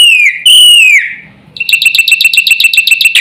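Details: Full black-winged myna song, used to get other mynas calling: two drawn-out high whistles sliding downward, a short silence, then a quick burst of repeated bright chipping notes.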